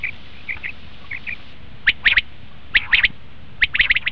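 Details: Common quail call played to lure quail for hunting: soft, muffled paired notes first, then loud, crisp triple-note phrases repeated roughly every second, each phrase a rapid liquid stutter.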